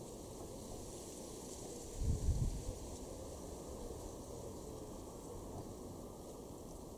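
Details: Quiet outdoor hiss and a steady faint hum, broken by one short gust of wind on the microphone; no animal sound.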